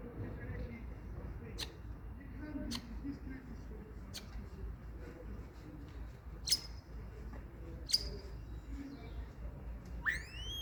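Sharp clicks and brief high whistles from a common starling, spaced every second or two, ending in a rising whistle, over a steady low rumble of background noise.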